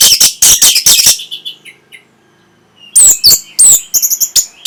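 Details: Orange-headed thrush song meant to stimulate breeding condition and draw a reply: loud bursts of harsh, rapid broadband notes, a brief lull with faint high notes, then sharp whistled upslurs mixed with more scratchy, stuttering notes.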